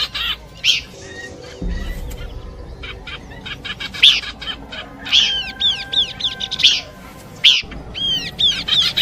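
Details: Horsfield's babbler song mix meant for bird luring: scattered sharp chips, then bursts of repeated arching notes that rise and fall in quick series, over a soft background hum.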